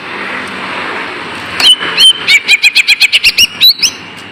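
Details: Lesser green leafbird song played as a lure to stir lazy caged birds into singing: after a quiet start, a fast run of sharp whistled chirps near two seconds, repeated about four per second, with faint background hiss.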